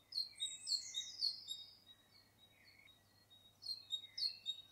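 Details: A great tit in Ireland sings its simple, repetitive bright, high two-note phrase, 'tea-cher', about twice a second in two short bursts with a pause between them.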